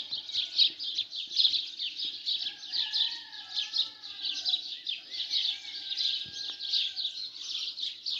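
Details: Sparrows in the morning giving a busy flock chorus, high chirps and tweets packed closely in steady waves, with some faint lower sliding tones drifting underneath.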